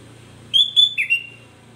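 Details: Provocative song of a sooty-headed bulbul, meant to make other bulbuls respond: two ringing whistled notes and a lower, slurred, descending warble, over a steady low hum.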